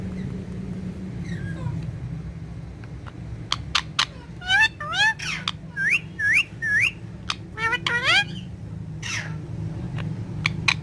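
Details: Talking green ringneck parrot facing a mirror, Urdu and Hindi: after a quiet start under a low hum, a string of upward-hooked nasal chirps and clicks, some paired, fills the middle of the recording.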